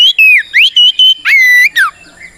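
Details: Oriental magpie-robin singing a fighting song used to provoke other birds: a rapid series of loud pure whistles, sliding up and down, separated by short gaps, ending in a quiet trailing note.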